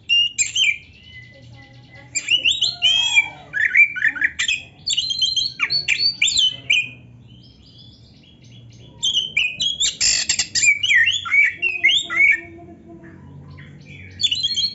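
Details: Oriental magpie-robin (kacer) in full-fill training song meant to get caged birds singing: bursts of varied whistles, sweeping slurs and buzzy trills separated by quiet gaps, with faint low background rumble.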